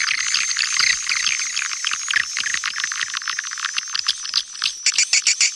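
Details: Calling and roosting sounds of swiftlets, Kampar, Riau, meant to lure them: fast clicking chatter with shrill buzzy twitters, ending in a few separate louder chirps.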